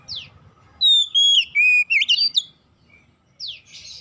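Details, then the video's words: Oriental magpie-robin song used to trigger other magpie-robins to sing: a single burst of clear whistled notes, long level and falling whistles with quick upslurs, between short sweeping chirps, over faint low background rumble. "PANCINGAN Kacer bahan cepat gacor"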